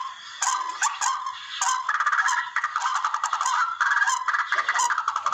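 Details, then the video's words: Barred rail sounds for luring birds when hunting: a few harsh opening notes give way to a fast, rattling chatter of repeated grating syllables. "TIKLING SOUND EFFECT O HUNI NG TIKLING"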